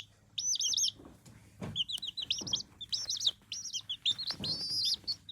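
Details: Chicks peeping in high, short chirps, each quickly bending down in pitch, given in rapid overlapping bursts, with low thumps and a steady background hum.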